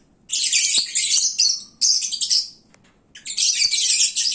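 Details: Lovebirds at their loudest around midday, sated and sleepy: three long bursts of high, buzzy, grating chirps with a faint tick between them.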